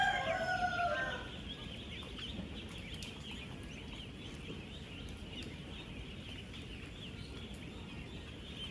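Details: About 16,000 ducklings, ten days old, on a real duck farm: a loud, harmonic, squawking call opens for about a second, then a constant wash of thin, high peeps from the crowd over low, steady background noise.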